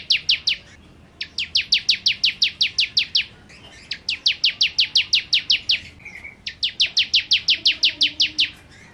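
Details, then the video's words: Vigorous 'nembak' song of a 'kristal' bar-winged prinia: repeated machine-gun runs of clear, high, down-sweeping notes, each run of about eight to fourteen notes, broken by short gaps with a faint lower twitter. "Ciblek Kristal Gacor Nembak Nembak"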